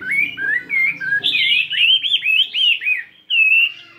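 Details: Morning singing practice by a 72-gram fighting Chinese hwamei with changing voice: lower whistled phrases open, then a dense burst of high, rolling, slurred notes, a brief silence, and one more sweeping whistle at the end.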